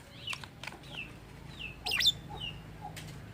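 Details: Lovebird uttering odd sounds, described as mimicking human speech: soft downward-sweeping whistled notes and clicks, with one brief louder harsh squeak in the middle.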